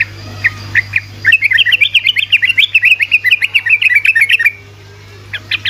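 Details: Yellow-vented bulbul, rapid 'ropel' singing meant to make quiet bulbuls respond: a few opening chirps, then a long tumbling chatter of quick bright notes, ending with short chirps, over constant hum.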